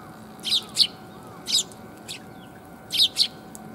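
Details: Sparrows coming to be fed on 5 December 2021, on the way there, giving short bright chirps in paired bursts, about six notes spaced irregularly over four seconds, over a steady low hum.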